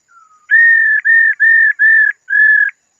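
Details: Five steady, pure whistled notes at one pitch from a female laughingthrush, delivered in a brisk, regular run after a soft descending lead-in note. The calls serve to excite a male into singing.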